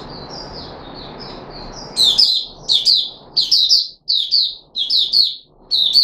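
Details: Caged red-whiskered bulbul recorded 13 April 2021 during a feeding trial with fruit juice and a mealworm; after two seconds of faint notes under background hiss, loud bright chirpy phrases of three to four notes repeat about every half second.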